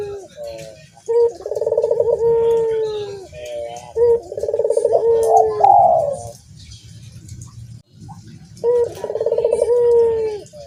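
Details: Barbary dove giving low, rolling coos, each phrase a throaty trill ending in a drawn-out note, three phrases separated by short gaps, with faint ticking in the background.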